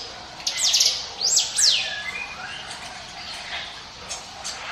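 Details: Prinia song meant as a lure for other birds: two bursts of bright high descending sweeps, then quieter lower chirping notes trailing off.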